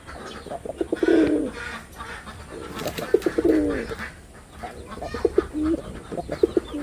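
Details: Performing male red-bordered wild pigeon: soft, rolling low coos repeated a few times, fainter later, amid tapping clicks and light background chirps and rustle.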